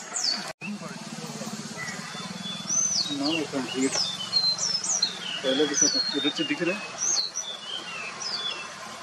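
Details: White-bellied Sholakili (White-bellied Blue Robin) at Munnar, Kerala, India, February 2023: thin, high whistled notes, several sliding downward, about twice a second, with human voices murmuring midway and a low hum beneath.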